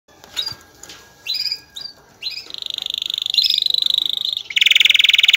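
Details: Excited male canary singing to stimulate females to mate: a few scattered high chirps and short notes, then fast buzzy trills of rapid repeated syllables, ending in a loud dense rattling trill.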